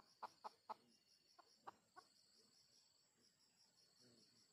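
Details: Junglefowl recorded while luring wild junglefowl: a quick run of three short, clipped clucks, then a few softer scattered notes. Over everything runs a steady high insect buzz.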